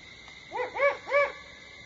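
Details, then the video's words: Great horned owl calling at Starr Ranch at 4:30 AM on 21 September 2011: a soft lead-in note followed by two stronger, rounded, arching hoots about a third of a second apart, over a steady faint background hum. "Great Horned Owl Calls"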